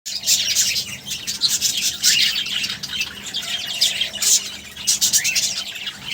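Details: Budgerigars during feeding, likely young birds: dense, rapid high squawks and chirps with scratchy warbling that fills the upper range, rising and falling in bursts throughout.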